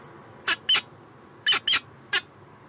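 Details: Peregrine falcon in Montreal, Canada, 2017, giving five short, grating notes in two loose bursts, a pair and then a trio, spread over about two seconds. Faint hiss lies between the notes.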